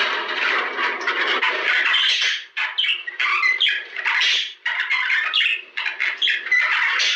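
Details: Budgerigars chattering in a recording to encourage mating: a harsh, continuous warble at first, then choppy bursts of squawks and chirps with a few short whistled notes.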